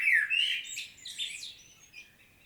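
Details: Common blackbird solo recorded in Świnoujście, Poland, on 25 September 2022: a loud downslurred whistle opens a phrase that dissolves into high, squeaky, rapid twittering notes.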